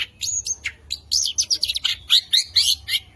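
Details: Competition-winning long-tailed shrike singing a varied mimicry-filled song, used to challenge rivals and stir other shrikes into singing: sharp high chirps and harsh buzzy notes in quick, uneven bursts.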